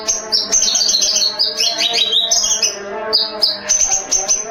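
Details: White-rumped shama singing: a rapid, loud, varied run of high clear whistles and twittering phrases, with sharp chips and slurred notes tumbling one after another, barely pausing through the clip.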